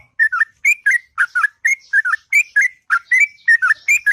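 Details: Long melodious morning song of a sooty-headed bulbul, steady run of liquid, slurred whistled notes, several per second, each dipping or rising.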